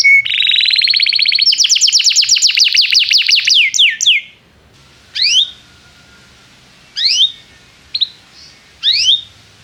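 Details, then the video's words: Canary song as a prompt for young canaries learning to sing: a fast rising trill of repeated notes for four seconds, then isolated sharp down-slurred chirps spaced about two seconds apart. "Kenari gAcorr cuit cuit emosi, Pancingan untuk kenari Paud belajar bunyi"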